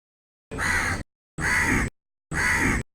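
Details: A crow calling live from a tree gives three harsh, raspy caws, evenly spaced about a second apart, with dead silence between them.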